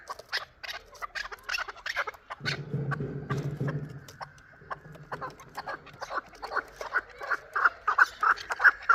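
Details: Shurobod chukar partridge, a year-old bird, with scattered chuck notes, a low droning noise midway, then a rising series of louder regular chucks at the end.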